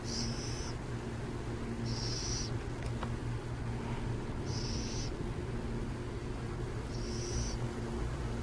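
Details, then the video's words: Burrowing owls recorded near San Jose: four short, high, breathy screeches at uneven intervals of about one and a half to two and a half seconds, with a steady low droning hum underneath. "Burrowing owls near San Jose"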